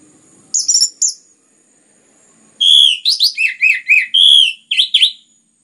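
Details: Orange-headed thrush, clear dense song used as a lure for other birds: a brief high chirp, a pause, then a fast run of loud, mellow slurred whistles, rising and falling, about eight notes in two seconds.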